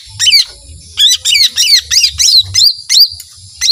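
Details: Lesser green leafbird in full long-shot ('tembakan panjang') song: rapid, shrill, sweeping chirps tumbling one after another, about ten bright bursts in under four seconds, some with falling tails, over a soft low rumble.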